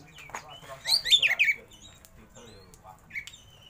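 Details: Oriental magpie-robin (kacer), a caged bird, giving a brief tumbling phrase of bright whistles, then a lone soft note, over faint background hum.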